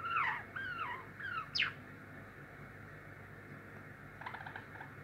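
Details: Pet Java sparrow practising its song: a few soft, wavering whistled notes and a quick upward slide, then a pause and faint clicking chatter, in a quiet room.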